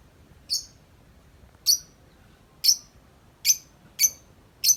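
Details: A tame lovebird outside its cage, played as a lure to get other lovebirds calling, gives six sharp, very high, shrill chirps about a second apart against a quiet background.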